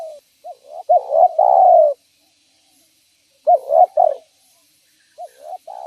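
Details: Spotted dove cooing as a lure for other spotted doves: short rising coo notes lead into a long mellow coo, with a second shorter phrase and the start of a third.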